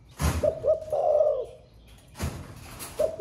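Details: Spotted dove of the thổ pha singing style, kept caged and newly cooing all day, gives one phrase of two quick notes and a drawn-out husky coo, then starts another at the end, with loud thuds from the cage.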